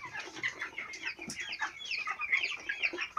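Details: Four-week-old chicks kept on a farm, many birds peeping at once: a steady chatter of curved, whistled cheeps with occasional louder trills over a low background hum.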